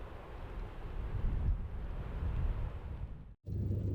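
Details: Steady low rumble of traffic and wind noise, with a brief dropout near the end and no animal voices heard.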